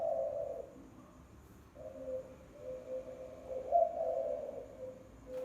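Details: Low, mellow cooing of a spotted dove used as a lure call, one phrase ending and another building into a fuller, slightly rough coo, steady faint hum behind.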